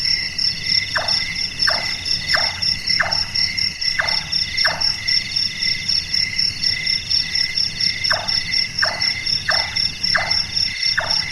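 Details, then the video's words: Large-tailed nightjar (Caprimulgus macrurus), active at night, calling like a carpenter at work: a run of six dry, falling knocks at about 0.7-second intervals, a pause, then five more, against shrill continuous insect buzzing. "Burung Tukang,Burung Tukang Kubur,Burung Malas"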